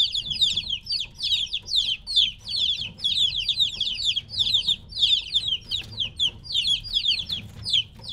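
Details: Several chicks around three weeks old, separated from the hen, chirp without pause: sharp, high descending peeps overlap in a steady, busy chorus throughout.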